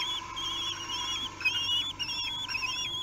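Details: Kestrel chicks aged three weeks being fed, Théding, France, 8 June 2021: overlapping thin, quavering squeals that rise and fall almost continuously, with several birds calling together over an electrical hum.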